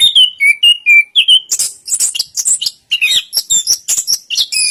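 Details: Anis kembang, the orange-headed thrush, opening with clear whistled notes dropping in pitch, then breaking into dense high twittering and scratchy chips in fast, varied succession.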